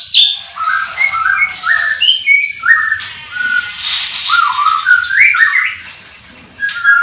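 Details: White-rumped shama singing in a breeding-farm cage on a morning full of birdsong. A series of short, fluty whistled notes steps up and down the scale, with a breathy rushing note midway and quieter birds behind.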